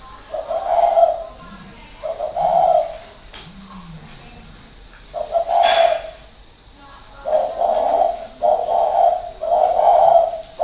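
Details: Caged spotted dove, a hard decoy bird kept six years, cooing in northern Vietnam: low hollow coos around one pitch, given in short bursts separated by pauses, with faint clicks and room noise.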